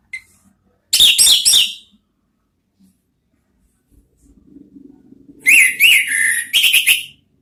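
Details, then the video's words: Orange-headed thrush (anis merah) song as lure therapy: a brief burst of rapid, fluty whistled notes, a quiet gap with faint low hum, then a longer phrase of rising and falling slurred whistles. "Siulan ANIS MERAH ampuh memancing BUNYI NGEPLONG ¦TERAPI PANCINGAN ¦ KICAUAN NGERIWIK"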